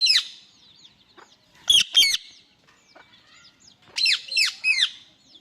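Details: A male Indian ringneck (rose-ringed) parakeet, angry, gives harsh, rasping screeches in short bursts, a pair in the middle and a quick run of three near the end, with fainter chatter between.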